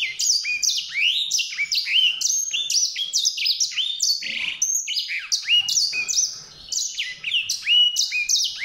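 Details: Continuous sweet song of a white-rumped seedeater: fast, high chirping phrases of slurred descending whistles and short trills, delivered almost without pause over nearly nine seconds, with faint low background rustling.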